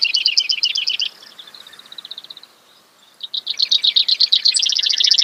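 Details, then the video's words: Brewer's sparrow singing a fast double-pitched trill, fading into a soft, thinner trill and a short pause, then resuming with a loud, quick rattling series. "Brewers Sparrow Sound, Bird Call"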